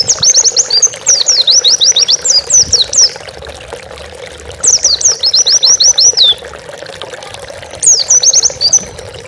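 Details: Oriental white-eye master song for training pet birds: very high, thin twittering phrases of rapid zigzag notes, three bursts of one to two seconds, over a constant rushing noise like pouring water.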